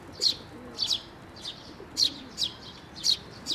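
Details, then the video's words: Sparrow fledglings flying in to be fed at a water bridge by a shrine on 11 May 2024; bright high chirps come singly, roughly one every half second, with small gaps. "水上橋に 餌を貰いに飛んで来る雀達、巣立ち雛鳥"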